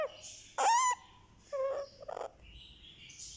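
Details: Head massage of a one-month-old Indian ringneck parakeet chick draws a loud harsh squawk, then a softer whistled note and a rapid stuttering buzz.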